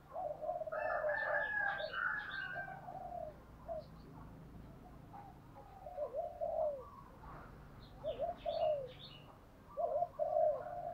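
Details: Spotted dove kept as a decoy to excite wild doves into calling; repeated hollow coo phrases rise and fall against steady background noise, with scattered higher chirps from other birds.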